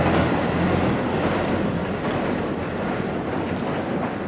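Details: Steady, loud rushing wind noise buffets the microphone throughout, with no animal call audible.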